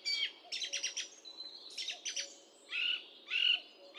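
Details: Song thrush singing: bright, high phrases of clustered notes, some repeated several times in quick succession, then clear whistled phrases repeated twice near the end, over a quiet background.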